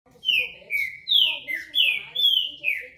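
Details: Green-winged saltator (trinca-ferro, pixarro), praised as a fine singer: a rapid run of about six loud, clear whistled notes, each slurring downward and grouped in pairs, with a faint murmur of television speech underneath.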